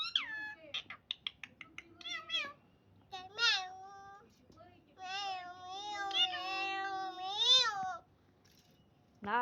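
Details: A pet talking parrot gives rapid chattering syllables, then drawn-out, wavering, voice-like calls that rise and fall over several seconds, with quieter human speech around them.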